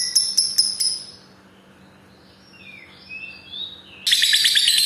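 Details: Lovebird ngekek chatter, used to draw out trilling in other lovebirds: a few sharp high chips, a quiet stretch with soft warbled slurs, then an abrupt loud, dense trill of rapid shrill notes.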